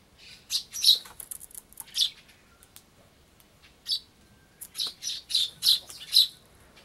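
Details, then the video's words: Young sparrows fighting with each other while feeding, one charging at an adult sparrow, recorded 16 June 2011 in Japan: sharp, high chirps in clustered bursts, some spaced about half a second apart, with short gaps of quiet. "子雀同士のケンカ A fight between young sparrows"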